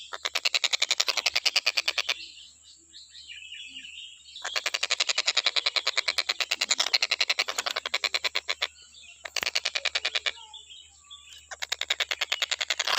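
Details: Stork-billed kingfisher recorded as a training model for songbirds, calling nonstop: bursts of rapid, harsh, evenly spaced pulses broken by short pauses, over a steady high-pitched background hum.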